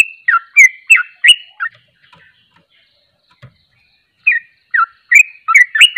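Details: Sooty-headed bulbul song in the ropelan style: bursts of quick, bright, swooping notes at the start and end, with a near-silent pause of about two seconds between them and a faint low knock.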